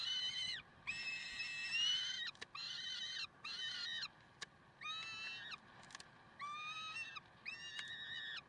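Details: Peregrine falcons at Karlsruhe, Germany, on 30 May 2010. Loud, harsh, strongly harmonic screaming notes come in bursts of half a second to over a second, about seven in sequence with short quiet gaps between them.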